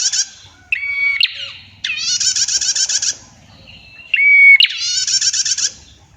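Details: A female prinia gives a clear, long trilling song: a thin steady whistle, then a dense rattling buzz lasting over a second, with the pattern repeated twice.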